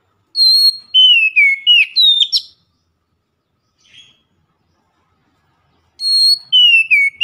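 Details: Oriental magpie-robin (kacer) in a loud, chatty daily lure song: a phrase of high and falling whistles ending in a buzzy flourish, a faint soft note, then a second phrase begins.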